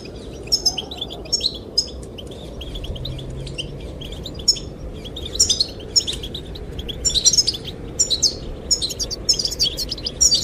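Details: Goldfinch song aimed at attracting the female: scattered high chirps at first, building into busy tinkling twitter phrases in the second half, with steady wind noise.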